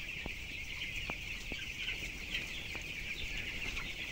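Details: Thousands of 12-day-old broilers, weighing 423 grams, in a closed-house shed for 7,000 birds: unbroken shrill peeping from the whole flock, a few brief taps and clicks, and a low droning background.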